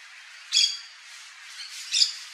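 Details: Yellow-chevroned parakeet (Brotogeris chiriri), a Brazilian parakeet, uttering a harsh high screech, then a softer note and a second shrill squawk about one and a half seconds later over constant background hiss.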